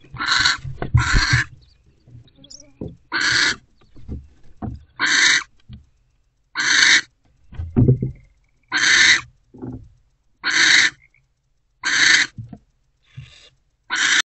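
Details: Owl pair in a nest box at 3:06 am, 17 February 2024, with food delivered; nine or so evenly spaced harsh hissing screeches, about one every 1.5 seconds, with soft thumps and shuffling between them.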